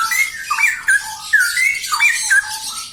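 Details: Two straw-headed bulbuls (cucak rowo) singing together: fluting, warbled whistles with sharp upward and downward slides, steady through the clip, amid busy high twittering noise.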